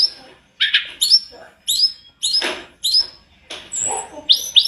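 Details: Sunda robin in full continuous song, recorded as a training master: short emphatic phrases of high whistles and harsh buzzy notes, each burst separated by brief silences roughly every second.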